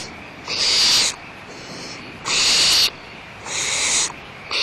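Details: Barn owls at Audubon Starr Ranch Sanctuary give harsh, breathy hissing screeches, each lasting over half a second and repeated about every second and a half, with a faint background hum.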